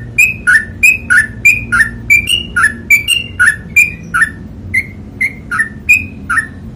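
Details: Long ropel panjang song of a sooty-headed bulbul (trucukan): rhythmic whistled phrases, each a ringing high note slurring down to a lower one, repeated about three times a second throughout, low hum beneath.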